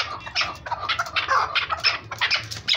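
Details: A caged female chukar partridge gives a thin, rapid series of scratchy clucking notes, several per second, with some low background rumble; the female's voice is thin, the male's heavier.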